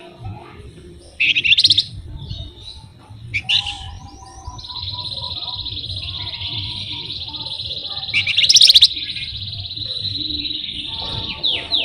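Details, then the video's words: Flamboyan, a songbird described as lively and persistently rolling and trilling, opening with short sharp chirps, then holding a long, buzzy, high trill for several seconds, cut by a loud crackling burst before the trill resumes. "flamboyan gacor paling rajin ngerol ngebren"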